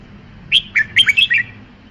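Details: A red-whiskered bulbul delivers a single fast, cheerful phrase of about six slurred, chirping whistle notes, with a soft low background hum.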